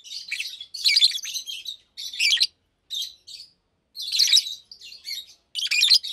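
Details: Pair of adult Fischer's lovebirds, blue and pastel green, kept in cages, calling during the day: dense, rasping chirp clusters, louder bursts at the start and middle, short gaps in between.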